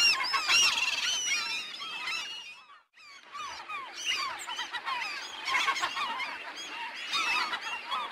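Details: Many seagulls calling at once, a dense overlapping chorus of curved, squealing cries, broken by a brief lull before the clamour resumes.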